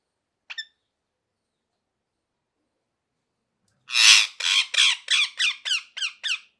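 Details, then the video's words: A single faint squeaky note from a parrot is followed by a long pause, then a rush of about nine harsh squawks that begin loud and noisy and become shorter and thinner. "Parrot Chirping Sounds | Natural Parrot Sounds | Parrot Calling Sounds"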